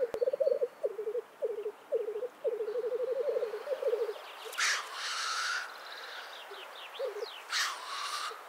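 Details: Black grouse at a spring lek in Karkonosze National Park, Poland: a low bubbling, cooing rookoo rolls in repeated phrases for about four seconds, then two loud, harsh hissing sneezes burst out, with faint bubbling between them.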